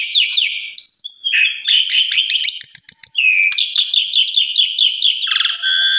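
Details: Asian pied starling in full song, offered to train other starlings: mixed whistles and squeaky notes running into rapid repeated buzzy chirps, varied and nonstop, closing with a harsh grating phrase.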